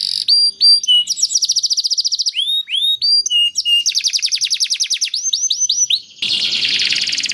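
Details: Singing canary, played so other canaries answer: sharp upslurred whistles and short flat notes alternate with rapid rattling trills, ending in a dense harsh buzz.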